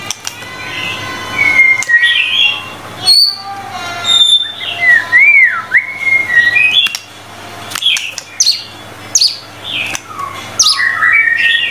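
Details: Murai batu, the white-rumped shama, in full energetic song for tutoring: clear slurred whistles that dip and rise, mixed with quick chirps and clicks in varied phrases.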